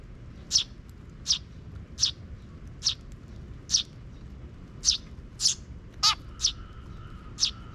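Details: Regular high chirping from a young sparrow chick following a parent in a park, 12 June 2023, notes spaced under a second apart, one louder double chirp near the end, over a quiet background.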